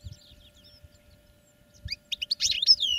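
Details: Caged European goldfinch in training: faint scattered notes at first, then a sudden loud twittering run of chirps and a looping buzzy warble in the final second, over a low background hum.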